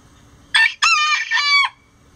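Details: A rooster crows before dawn as the flock flies out of the coop: a short, sharp opening note, then a long, loud, rich-toned crow with a wavering middle and a dropping end.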